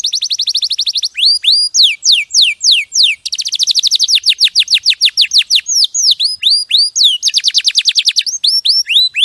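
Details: Champion canary used as a clear training song for other birds: rapid rolling trills switch between sets of looping downslurred whistles, each phrase type repeated many times at a brisk, steady pace.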